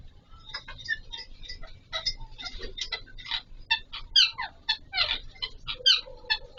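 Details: Alexandrine parakeets, called Pahari or Kashmiri parrot, kept by a bird keeper during mating; a rapid jumble of short harsh chirps and squeaks with occasional louder screechy notes, indoors.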